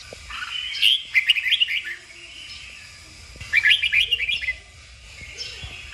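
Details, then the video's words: Song of a red-whiskered bulbul used to train birds to sing vigorously: two loud bursts of quick jumbled whistled notes about three seconds apart, separated by a softer sustained warble. "Luyện chào mào hót| Chào mào kích bổi-KÍCH BỔI CĂNG ĐÉT DỄ CHÉ.sổ giọng, Cách luyện chào mào hót"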